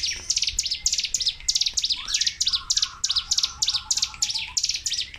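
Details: Ciblek gunung or cigun, a Sunda warbler, in a continuous 'tembakan' burst song. Quick high chirps bunched in pulsing clusters, plus a lower rising whistle and brief trilled notes midway.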